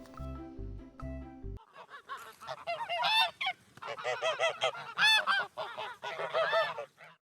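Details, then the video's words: Domestic geese honking, played to children in a kindergarten guessing game in Vinnytsia, April 2023: a short music phrase, then a dense, overlapping chorus of loud nasal honks from several birds, rising and falling in bursts. "так ґелготять гуси [оплески] А"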